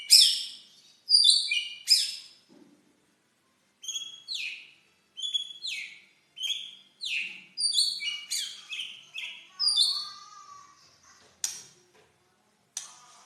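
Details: Lure song of a white-rumped shama meant to rouse mute shamas and stir rivals: separate clear whistles and slurred notes, a few sharp high strokes, spaced phrases with brief silences, clean background.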